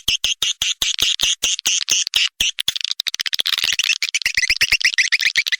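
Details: Sound used to lure edible-nest swiftlets: regular clicks with buzzy high chirps in between, then after a few seconds a faster, denser stream of clicks and thin rippling twitters.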